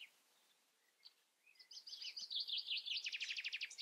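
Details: European robin heard after a quiet start, building into a high twittering phrase that ends in a fast, dry, rattling trill of repeated notes.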